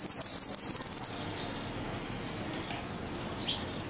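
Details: Argentine goldfinch in a song style called "El Meryl" with knocks and whistles: a fast run of high, evenly repeated trilled notes for about a second, then quiet with a faint later chirp.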